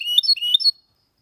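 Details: Goldfinch x canary hybrid giving a short burst of song used for stimulating and tutoring young birds: a few high, slurred whistled notes rising and falling, ending abruptly into silence.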